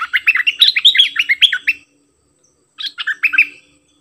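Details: Cream-vented bulbul song, a gacor bird singing its doubled song: a rapid run of bubbly, fluty warbled notes jumping between low and high pitches for nearly two seconds, a pause, then a shorter burst of similar notes.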